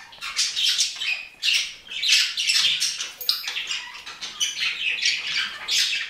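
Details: Continuous budgie chatter of harsh squawks and twittery notes, uneven bursts following one another without long breaks for about six seconds.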